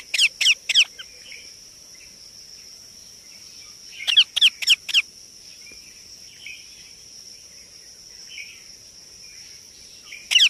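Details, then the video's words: Baby Indian ringneck parakeet uttering short clusters of three to four rasping calls separated by quiet stretches with soft murmurs, and a steady shrill tone in the background. "Baby Parrot Sound Effect"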